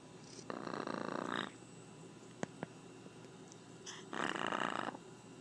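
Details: A talking pet blue-and-yellow macaw gives two rough, raspy growls, each about a second long, with a couple of sharp clicks in the quiet between them.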